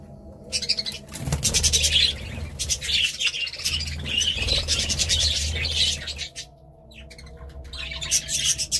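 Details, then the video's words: Budgerigar warbling chatter, dense and scratchy for several seconds, then fading before a few final chirps, with a low hum beneath. "Budgie Sounds"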